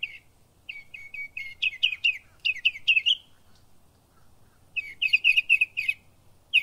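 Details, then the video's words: In Florida, a Northern mockingbird sings bright, buzzy chirped phrases, each repeated three or four times in quick runs, with a short pause before a fresh burst of varied notes. "Som de pássaro zombeteiro"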